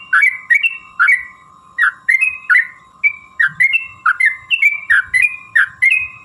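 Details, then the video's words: Sooty-headed bulbul song offered as a lure for other bulbuls: clear whistled phrases in short bursts, each a quick drop then rising notes, spaced by brief gaps over a steady hum. "trucukan gacor TARUNG ROPEL PANJANG pancingan trucukan agar bunyi jadikan burung trucuk gacor EMOSI"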